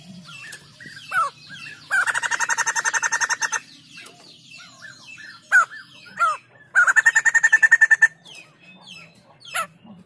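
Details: Vigorous song of a white-crested laughingthrush: two fast rattling bursts of evenly repeated harsh notes, each roughly one and a half seconds long, separated and followed by sharp downslurred whistles and chirps.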